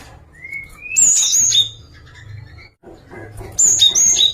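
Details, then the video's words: Java sparrow song variation opening with a long, thin, rising whistle, followed by a burst of high, ringing chirps, a pause, and a second similar burst. "VARIASI KICAUAN GELATIK"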